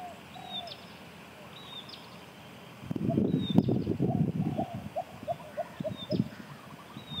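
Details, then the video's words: Lesser coucal (Centropus bengalensis), a bird of open grassland and paddy fields, giving a run of low, hollow hooting notes that quicken toward the end, with thin high chirps from other small birds and some rustling. "making call ... Lesser Coucal"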